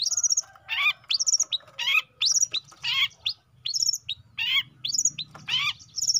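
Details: Young long-tailed shrike in varied song: high whistled upslurred notes alternating with harsh scratchy phrases and falling chatters, mixed continuously and delivered at a lively, uneven pace.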